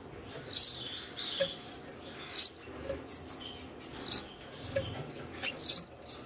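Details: A red-headed Gouldian finch, paired for breeding minutes earlier with a mate from previous seasons, gives its thin, very high, hissing courtship song in short bursts about every two seconds, with faint clicks between phrases.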